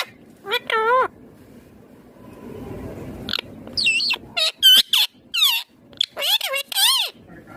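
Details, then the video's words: A ringneck green parrot talking in a quick run of wavering, chattering syllables and upslurred chirps after a single early nasal call, in a quiet setting. "Ringneck Green parrot Talking Natural Sounds"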